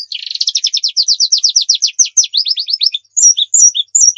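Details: White-eye 'nembak' song used as tutor and bait: a steady, rapid series of descending chirped notes, roughly three per second, then scattered high twitters and lower notes after a brief pause.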